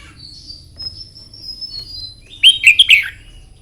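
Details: Morning contest song of a Red-whiskered bulbul, recorded for song-contest training: faint thin high whistles in the background, then one loud, rich, quickly warbled phrase of several bubbling notes near the end.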